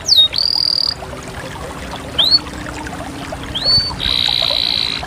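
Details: Canary song in sparse phrases: a sharp upslurred note leading into a held whistle, a lone rising chirp, another upslur, then a long steady buzzy roll.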